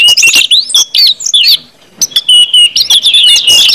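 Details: Brief ngeplong-style singing of an orange-headed thrush, intended to make other birds sing: bright whistles and chirps, a silent half-second gap, then a wavering whistled phrase.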